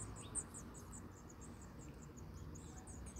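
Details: House finch young being fed by adults in Michigan; a fast series of very high, thin squeaky notes repeats several times per second throughout, faint over a low rumbling background.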